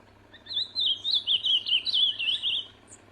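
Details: Singing ultramarine grosbeak outdoors, opening with faint short notes and then pouring out a brisk, twisting string of whistled warbles for about two seconds, ending with a single high chip, over a low steady hum.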